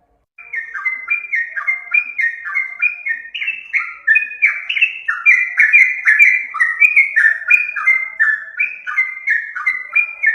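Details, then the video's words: Lure recording of yellow-vented bulbul song: after a brief silence, a dense, unbroken flow of warbled, bubbling notes begins. Each note slips slightly downward, rapidly repeated in overlapping phrases that sound like several birds singing together. "pikat burung trucukan suara merdu"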